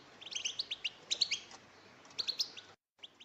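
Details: Group calls of female European goldfinches, used to prompt males to sing: quick clusters of high, bright chirps in bursts of three to six, then a brief silence and a few more notes.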